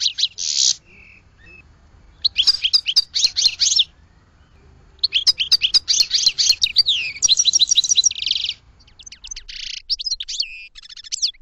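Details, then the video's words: A goldfinch sings in bright, high-pitched twittering phrases of quick chirps and slurred notes, separated by short silences, then scattered single tweets to finish; a quiet background. "Goldfinch Song to Educate Newcomers to Their Call"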